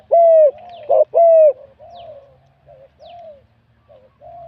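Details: Competition spotted dove from a Thai cooing contest, wild-caught, middle-to-big voice, opens with loud drawn-out coos and a short clipped note, then trails into softer, quieter coos.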